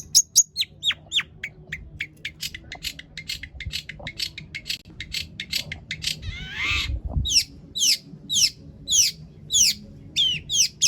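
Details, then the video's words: Long-tailed shrike in long, varied song used to provoke other shrikes into singing: rapid series of sharp downslurred notes, a harsh rattling burst near the middle, then evenly spaced loud slurred whistles about twice a second. "cendet gacor PANJANG BONGKAR ISIAN untuk PANCINGAN CENDET AGAR BUNYI"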